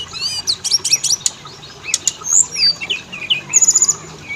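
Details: Oriental magpie-robin lure recording meant to set both males and females singing: high whistled notes and sliding slurs, with rapid buzzy trills near 3.5 seconds and rattling bursts throughout.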